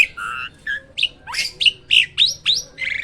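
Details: Hybrid myna kept at a bird farm, singing loudly: a fast string of clear whistled notes, rising slurs and harsh squawky bursts, about eight phrases in three seconds, with a faint low hum beneath.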